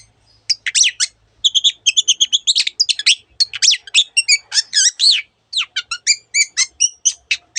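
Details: Long-tailed shrike singing a busy, varied song full of imitated phrases from other birds: quick chirps, sharp whistles and trilled twitters, delivered rapidly after a short quiet start.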